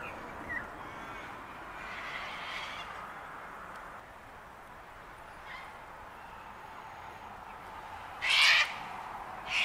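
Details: A sulphur-crested cockatoo at Bundanoon station, Australia, in June 2021 gives a few fainter raspy calls, then one loud, harsh, grating screech near the end, over steady background hiss; these sociable parrots flock and screech at one another.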